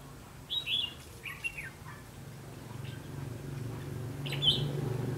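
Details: Red-whiskered bulbul recorded during a trapping session on 19 September 2016: short bright whistled phrases near the start, a second slurred phrase a second later, and another sharp note near the end, over a steady low hum.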